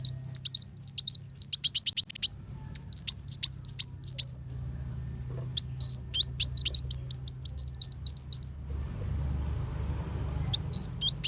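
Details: High, rapid sunbird song, kolibri wulung, with fiery 'tembakan' volleys recorded as training material for competition white-rumped shamas: long runs of thin, sharp chirps and sweeps, repeated in bursts with brief breaks and low background hum.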